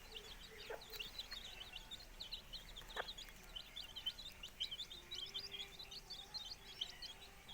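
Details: Four-day-old chicks beside a hen hatching eggs: a dense chorus of high, downslurred cheeping notes running without pause, with a few faint low clucks and sharp knocks.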